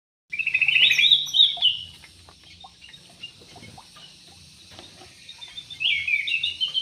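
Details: Yellow-vented bulbul singing in an aviary: a bubbly, warbling phrase of quick liquid notes lasting over a second, a quiet pause, then a second chortling phrase near the end.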